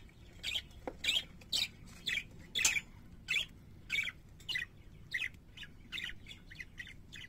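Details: Parakeets kept as pets sing a string of sharp, scratchy chirps, roughly one every half second, fairly even at first and softer and quicker toward the end.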